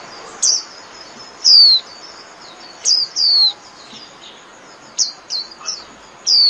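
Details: White-eye singing to gather its flock: a loose series of high, thin, falling whistles, some longer and some clipped short, delivered irregularly over six seconds with brief pauses.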